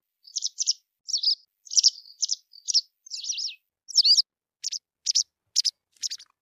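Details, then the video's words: White wagtail singing a lively run of high chirps and twitters, about a dozen quick notes over six seconds, paired and trilled at first, then sharper, evenly spaced single chips; no other sounds. "صوت الذعرة البيضاء white wagtail song"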